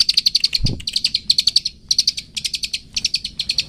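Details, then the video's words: Long-tailed shrike song, used for training pet birds to sing: bursts of fast, high, dry chattering notes in short packed runs, separated by brief pauses, with a low thump near the start. "Cendet toet toet Cocok Untuk Masteran Cendet macet"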